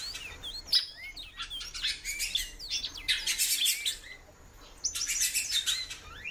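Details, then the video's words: Frequent calls from a female great-billed seed-finch: short curved whistles and upslurred notes scattered among loud, dense bursts of buzzy chirping from surrounding birds, with a brief lull midway. "FÊMEA DE BICUDO PIANDO MUITO"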